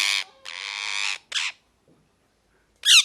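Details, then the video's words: Pet parrot, possibly a ringneck or green parrot, giving harsh, buzzy squawks: a short burst, then a long steady screech of about three quarters of a second, a brief squawk, silence, and a final rasping call. "Parrot Chirping Sounds | Natural Parrot Sounds | Parrot Calling Sounds"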